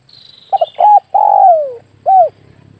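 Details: Spotted dove used as a lure call for air-rifle hunting: two short cooing notes, a long falling coo, then one final short coo, low and mellow over a quiet background.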